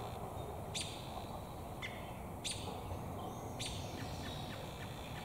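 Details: Short piercing chirps, three loud and one softer, from an American robin with damselflies in its beak, sitting in a tree and possibly looking for a mate; steady background hiss.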